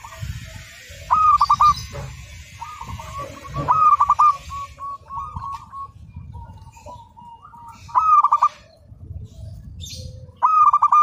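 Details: Master recording of a singing local zebra dove: loud stuttering coo bursts recur every few seconds, linked by softer drawn-out cooing runs, over a low steady rumble and some higher background hiss.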